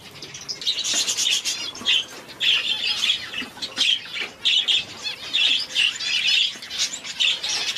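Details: Two one-day-old society finch chicks, kept as pets and too weak to open their mouths well, beg while being hand-fed without a syringe: rapid, high, buzzy, raspy bursts repeated in pulses about every half second to second.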